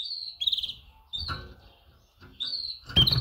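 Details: Female canary giving mating calls to males: high slurred chirps and a trilled note, interrupted by clattering knocks and thumps from the cage.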